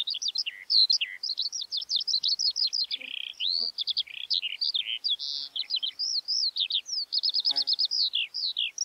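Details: Skylark delivering a rapid, unbroken stream of high, chirruping and trilled notes, fast slurred whistles tumbling up and down with barely a pause, a faint low thud near the middle.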